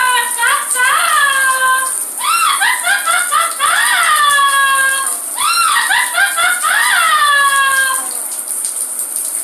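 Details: Parrot singing while in the shower, reaching a very high pitch: clear whistled, sliding notes rising and falling in quick bursts of repeated phrases, with brief pauses between bursts, over a steady high hiss throughout.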